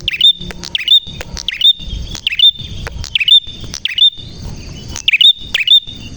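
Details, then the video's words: Prinia singing actively with a clear voice: rapid sharp chirps and flicked notes repeated several times a second in bursts, over a faint steady high tone. "Burung Prenjak Gacor Suara JERNIH"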